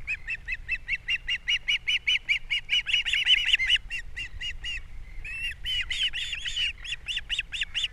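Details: Osprey at a Captiva nest, April 2022, as the male brings in fish and the female feeds young: long runs of sharp, piping whistled notes, roughly three per second, briefly pausing before a louder, harsher burst resumes.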